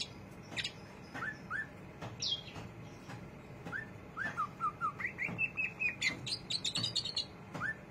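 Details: Greater green leafbird ngriwik chatter: scattered thin whistled notes and clicks, then a fast row of short repeated whistles, followed by a higher twittering flourish, over a low background hum.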